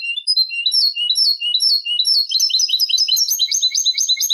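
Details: Eurasian goldfinch delivering continuous Malaga copla style song meant for teaching chicks and hybrids: bright, rippling twitters and rolling trills that speed up and climb into a denser, higher, buzzier run of notes, with no other sounds.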